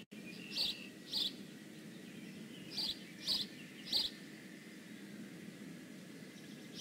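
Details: High-pitched chirps from a bald eagle at its nest, Decorah North, 15 May 2017: six short notes in uneven pairs and singles over about four seconds, then quiet hum and soft background noise.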